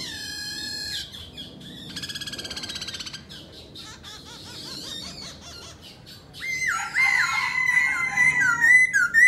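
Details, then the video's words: Black-throated laughingthrush singing and displaying, mixing harsh squawking notes and a buzzy rattle with quieter chatter, then a loud rich passage of level and wavering whistles. "Khướu mun hót múa đỉnh"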